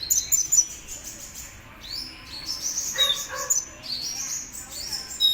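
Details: Kolibri ninja sunbird in lively song ahead of a contest: rapid high twittering and sharp upslurred whistles, with a few lower chipping notes midway, over a soft steady hiss.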